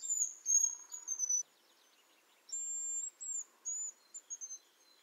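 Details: Hazel grouse (Tetrastes bonasia), recorded in Lithuania, gives very high, thin whistles: a long drawn note, a pause, then a sustained whistle and a few short, sharp notes.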